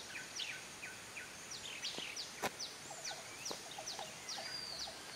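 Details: At Krung Ching Waterfall, Thailand, in 2014, red-eyed bulbuls give busy, bubbly chirps and short downslurred notes in quick succession, with a few sharp taps and soft background noise.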